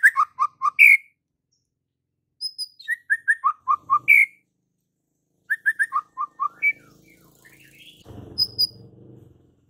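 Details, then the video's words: White-rumped shama singing vigorously with full repertoire: a phrase of bright whistled notes stepping downward, ending in an upslurred whistle, repeated three times at intervals of about two and a half seconds, with faint low rumbling near the end. "Murai Batu GACOR FULL ISIAN"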